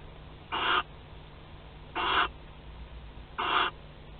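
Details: Nest of barn owls at Théding on 25 May 2020, caught on a webcam during courtship and mating; three rasping hissed calls about 1.4 seconds apart, evenly spaced, over a faint constant hum.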